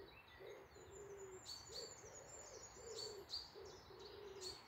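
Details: Birds singing on a morning in woodland near Malton, North Yorkshire: low, soft cooing hoots repeat about every half second beneath high, thin chirps and short twittering notes.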